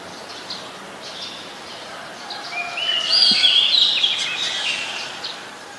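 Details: Scarlet-backed flowerpecker in Ubon Ratchathani, Thailand, 7 February 2020, recorded on a Nikon P1000: a bright burst of thin, high twittering notes swells midway, then fades against faint ambient noise.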